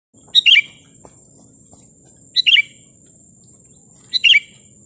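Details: Sooty-headed bulbul singing to provoke rivals: three short, bubbly, liquid phrases of quick rising and falling notes, spaced about two seconds apart, over a steady high electronic-sounding whine and a low hum.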